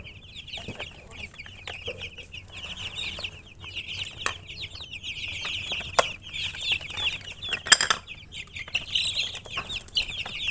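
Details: Baby chickens chirping: a dense chorus of high, sharp peeps overlapping continuously, with many chicks calling at once and occasional clicks and thumps in the background.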